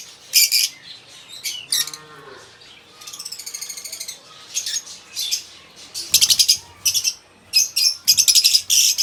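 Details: Lovebirds giving sharp, shrill chirps and harsh screeches in quick bursts, with a short buzzy trill in the middle and dense, rapid chattering toward the end.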